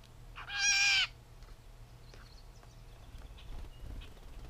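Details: Catbird uttering a single drawn-out nasal mew, cat-like and about half a second long, followed by faint scattered soft notes against a steady low hum.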